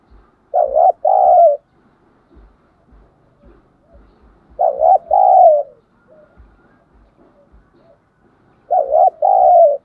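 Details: Decoy spotted dove with 'thổ sấm' voice calling to lure wild birds. Three steady, low coo phrases about four seconds apart, each a short note then a longer one, over soft clicks and faint background rustle.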